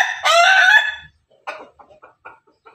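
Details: Pelung and Ketawa chickens together: a short, rough crow of under a second, then a series of soft, clipped clucks.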